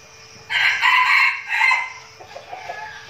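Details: Red junglefowl decoy bird from a flock trained in Bình Phước, Vietnam, for forest luring outings: one loud, hoarse, broken crow of about one and a half seconds in two bursts, trailing into soft clucks over a constant low hum.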